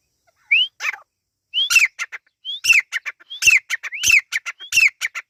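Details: Teetar chicks of the Irani partridge calling in bursts, each a thin upward whistle leading into a rattle of short sharp notes, repeated roughly every second and growing denser toward the end.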